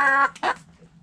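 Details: Backyard coop rooster: a loud, rich harmonic call lasting a quarter second, followed by a short harsh squawk, then quiet.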